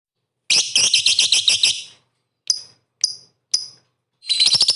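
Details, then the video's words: Lovebird song used as bait to provoke rival lovebirds into singing and fighting: a rapid, shrill, buzzy chattering trill of about one and a half seconds, three sharp separate chirps, then another fast chatter begins. "pancingan MP3 bikin emosi lovebird kalian tarung tingkat tinggi"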